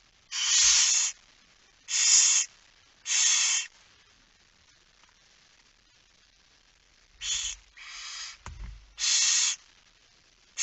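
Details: Barn owls hissing at the nest during a nighttime feeding, 10 September 2019, 22:45. Harsh, breathy bursts come in a run of three, then after a pause several more of varying length, with faint low thumps.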